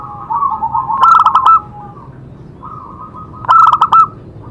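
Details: Zebra dove (perkutut) singing to stimulate other doves: rolling, trilled coos build into a burst of rapid staccato notes, repeated after about two and a half seconds.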